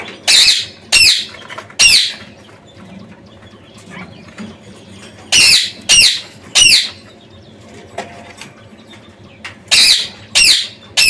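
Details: Quail, kept animals, giving loud harsh squawking calls in short bursts, several close together then pauses, with a faint hum of a small room in the background.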